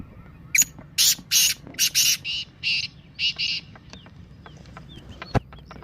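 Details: Black francolin 'masti' call meant to encourage captive francolins to call: a loud grating five-note phrase followed at once by a softer echoing phrase, then faint chirps and a sharp click.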